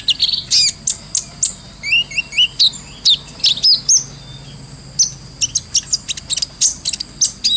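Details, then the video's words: High, sharp chirping song of a brown-throated sunbird, made as a training lure, with a few lower slurred notes among thin metallic tweets and light trickling water behind. "MASTERAN KOLIBRI NINJA (KONIN) SANGAT COCOK BUAT ISIAN FULL NGOBRA,GACOR,SUARA JERNIH"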